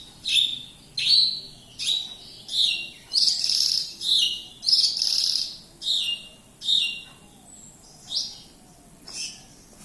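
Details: Javan bush lark singing near Kediri, a somewhat quieter run of high, slurred notes, some buzzier and fuller in the middle, slowing toward the end.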